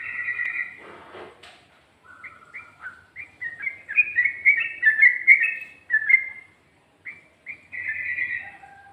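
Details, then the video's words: Sooty-headed bulbul in rapid 'ropel' song style with 'ngikluk' and 'garuda' variations: bubbly, liquid whistled phrases in short bursts separated by brief pauses, notes slurring up and down, with faint low background hum. "Burung Trucuk Ropel,ngikluk...ada ngGARUDAnya juga"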